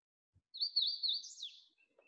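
A Hooded Warbler sings one bright, slurred phrase of high whistled notes that climbs and then drops sharply at the end.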